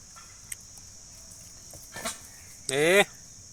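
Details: A peacock gives one loud, nasal, richly harmonic call lasting about a third of a second near the end. A steady high insect drone and a few faint clicks run underneath.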